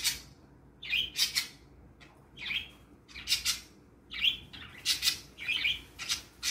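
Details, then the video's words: Morning chatter from three happy pet parakeets at play: bursts of raspy, squawky chirps with clicks, grouped in short clusters separated by brief pauses. "Cute Parakeets Chirping and Playing"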